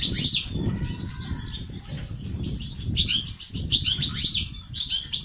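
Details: European goldfinch song for stimulating males to sing and become active, locally called 'batbata' and 'sestesat'. A steady stream of sharp, high twitters, with faint lower whistled tones near the start and an ongoing low rumbling noise.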